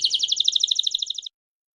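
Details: Canaries singing: a fast, even trill of bright, high notes lasting just over a second, then silence.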